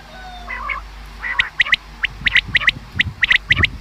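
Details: Common quail call for hunting use: after a quiet, softer start, crisp three-note bursts of short sharp pulses come about once a second, with faint low rumbling underneath.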